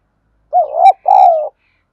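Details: ['Spotted dove decoy in Thổ voice giving a calling coo. A single clear phrase, a rising wavering hoot and then a longer level note that slowly falls, all low and resonant.']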